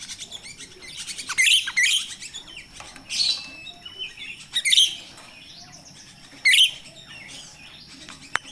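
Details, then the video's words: Natural recording of jalak rio-rio myna, a lure for captive birds in training: paired bursts of loud, raspy squawks with whistled tips, repeated every second or two, then a longer pause. "Suara jalak Rio-Rio asli alam// pancingan untuk jalak Rio-Rio bahan"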